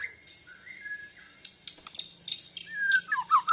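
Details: Young Bornean white-rumped shama practising its song in reply to a lure recording, breast feathers puffed; soft sliding whistles, scratchy clicks, then a louder descending twittering flourish.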